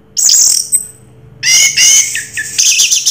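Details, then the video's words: Orange-headed thrush delivering Raja Teler style song: a high shrill burst, a pause, then a dense run of bright chirps and trills with rapidly shifting pitch, over a low background hum. "Suara Burung Raja Teler Anis Merah"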